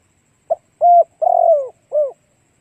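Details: Decoy spotted dove's single clean cooing phrase to lure other doves: a brief clipped note, a level hoot, a long wavering coo that slides downward, and a rounded final coo, in quiet surroundings.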